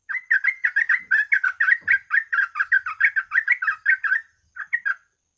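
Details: Yellow-vented bulbul used as a singing lure: an unbroken burst of quick, lively, bubbling notes for about four seconds, then two short closing notes.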